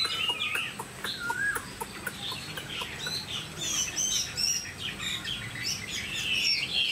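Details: Kept Chinese hwamei, described as a very tame bird of tall build, singing a varied run of loud whistled notes high in pitch, some sliding and warbling, with sharp clicking taps and a steady background hiss.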